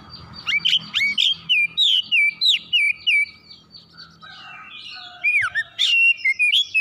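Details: Excited oriental magpie-robin delivering its varied repertoire: a fast string of loud, looping whistles, a brief lull with softer notes, then sharp rising and falling whistles resume.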